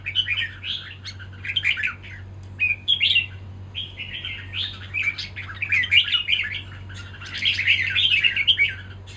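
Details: Red-whiskered bulbul fighting, its song a stream of chattering, whistled warbles broken by short pauses and rising into denser, louder bursts near the end, over a constant low hum.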